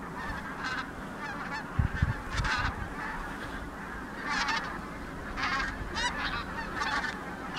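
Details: Wild geese flying over Lake Nysa, Poland, recorded 31 January 2021; a flock gives repeated nasal honks in bursts every second or so, several birds overlapping, with a low rumbling background.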